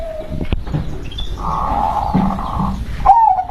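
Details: Local zebra dove with a soft sustained humming coo mid-clip and a brighter rippling trill near the end, amid low rumbling noise.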